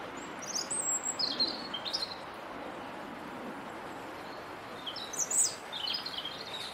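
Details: On a wet day, a European robin perched on a bare twig in a rose garden sings two short, high, thin warbling phrases several seconds apart over a steady background hiss, likely rain.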